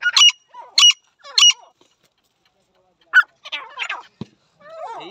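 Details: Partridges in a fight: three loud, harsh, ringing calls come in quick succession about every 0.6 seconds, then after a short gap a looser run of squawking, chattering notes and a dull low thump.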